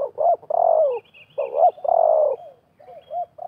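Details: Spotted dove gives soft hooting coos, each phrase a short rising note then a longer falling one, repeated twice with fainter coos trailing after, as a wild dove and a decoy bird clash and contend during a decoy-trapping session.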